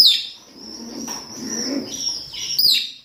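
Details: Male and female rosy-faced and Fischer's lovebirds in mating calls: a sustained high, thin trill running throughout, opened and closed by sharp, shrill squeaks.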